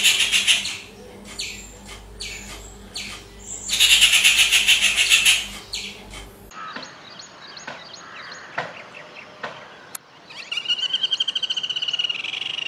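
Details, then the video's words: Birds chirping in a busy mix of sharp high ticks, fast pulsed trills and loud rattling bursts, then thinner clicks and a sweet warbled phrase at the end. "Birds' chirping"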